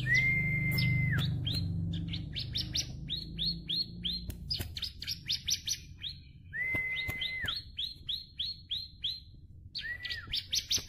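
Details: Tame bar-winged prinia, crystal variety, in full energetic song with plentiful fill notes: long level whistles ending in a drop alternate with rapid bursts of high, sharp rising chirps, repeated in phrases, over faint low rumble.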